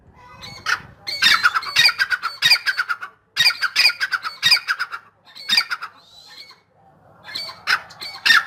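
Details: Grey francolin (dakhni teetar), described as in full spirits, giving loud, harsh, grating notes in rapid bursts, several per second, in repeated phrases with brief pauses between them.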